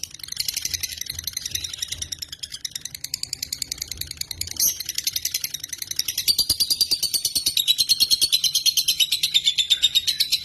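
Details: Lovebird in Indonesia giving a continuous rattling chatter of rapid high pulses, a brief louder note near the middle, then a brighter, clearer trill sliding slightly downward toward the end.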